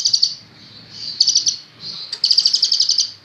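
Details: Lively caged kolibri ninja sunbird, recently obtained: high shrill warbling that breaks into a run of about a dozen rapid, evenly spaced ticking notes, faint low hum underneath.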